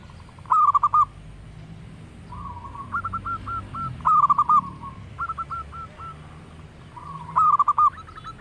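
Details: Local zebra dove in full voice, cooing in soft phrases of rapid stuttered notes, a louder rolling burst followed by a gentler chain of short coos, repeated several times over eight seconds against a low rumbling background.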